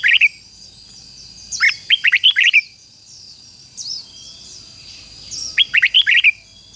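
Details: Red-whiskered bulbul used to lure wild ones, with one short note, then two spirited phrases of five quick liquid whistles about four seconds apart, plus softer high chirps from other birds in between.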